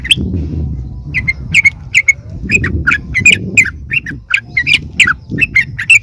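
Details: Sooty-headed bulbul lure call intended to attract wild birds: harsh, squawky chips repeated roughly three per second over constant low rumbling noise.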